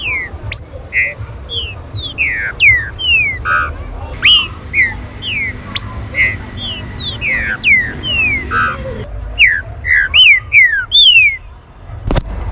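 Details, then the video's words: Green-winged saltator song used as a warm-up to make other saltators lively: a dense run of loud, clear whistled notes, many sharply falling slurs, some rising, repeated over two per second, with overlapping phrases and faint low background noise. "CHUVA ESTE CANTO VAI ESQUENTAR SEU TRINCA-FERRO"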